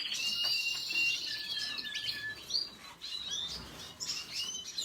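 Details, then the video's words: Thin whistled notes and buzzy slides from a red siskin open the phrase, followed by scattered high chirps and twittering. "سیسکنی سور سسكن فنزويلي احمر red siskin"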